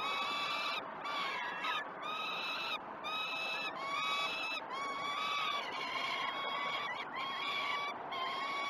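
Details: Peregrine falcon chicks begging during an early feed at the Great Spirit Bluff nest, 12 June 2018, live cam: short, arched, harsh wails repeated about once a second, voices stacking into a steady insistent chorus.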